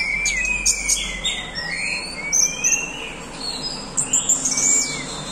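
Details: Orange-headed thrush in full song in the swaying 'doyong teler' style: a run of varied slurred whistles, some rising and some falling, mixed with high piercing notes and short chattering bits.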